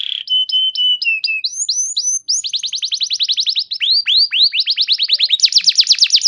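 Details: Canary song used as a prompt for other canaries: level piping notes, rising whistles, then a long series of rapid falling strokes building into a fast high trill.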